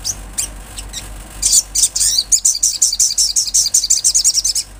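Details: Olive-backed sunbird singing in a natural setting, used to spark breeding condition in kept birds: a few scattered high thin notes, then a fast run of sharp, very high chips, roughly two to three per second.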